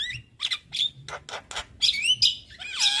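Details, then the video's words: Male Javan myna, very vocal, singing as a tutor for training other mynas: a short run of scratchy squawks, buzzy bursts and rising and falling whistled notes, ending in a downward-curving whistle. "Burung Jalak Kebo Jantan Super Gacor Gurunya MAsteran Jalak"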